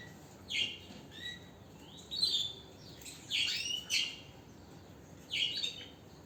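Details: Canary singing: short separate phrases of clear, bright whistled and rolling notes with pauses between them, about five bursts in all.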